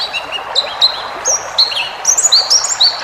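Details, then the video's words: Tutor song of a pleci ngalas white-eye for cage birds: thin level and downslurred whistles spaced irregularly, roughly eighty notes a minute, high-pitched over mild hiss. "masteran burung pleci ngalas full isian"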